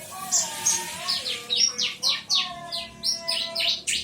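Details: Bar-winged prinia (ciblek) singing in the 'tembakan' style, set against a konin trotol: sharp, high chirped notes repeated roughly every third of a second, with lower, drawn-out, wavering tones running beneath.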